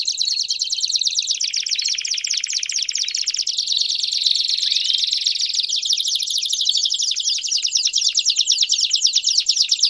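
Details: Several Belgian canaries singing together, meant to stimulate another canary to sing; dense, overlapping high-pitched rolling trills and rapid chirps run continuously throughout, with fast pulsed phrases and no other clear sounds.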